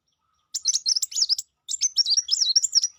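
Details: Sangkrut bird singing in two rapid bursts of high, thin twittering chirps, each about a second long with a short pause between, sharp and tumbling notes in a busy chattering phrase, no other sounds.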